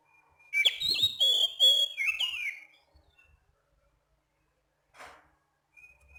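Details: Oriental magpie-robin (kacer) at night: a two-second burst of clear, rhythmic whistles and slurred notes, followed by near silence, a soft rasping sound, and a thin high whistle at the end.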